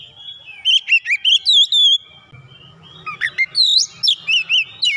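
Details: An Oriental magpie-robin, provoked into heated singing, runs through learned phrases. Rich, swooping whistles and a sustained note give way to a low background hum, then another quick whistled flurry.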